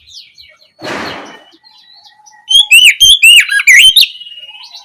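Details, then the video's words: Oriental magpie-robin giving loud ngeplong song in the evening to provoke a response. A dull knock sounds first, then comes a quick string of sharp, wavering whistled notes, roughly four per second. "Pancingan suara Kacer ngeplong sore hari untuk merangsang Kacer supaya lekas nyaut bunyi"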